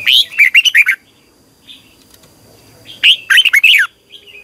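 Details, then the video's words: Caged red-whiskered bulbul used for morning song training, giving two loud bursts of quick, bubbling whistled notes about three seconds apart, each a rapid cluster of rising and falling syllables, with quiet twittering in the gap. "Luyện chào mào hót sáng 2020 - Ép chào mào hót Giọng kép xoắn dài hay tuyệt, luyện chào mào hót"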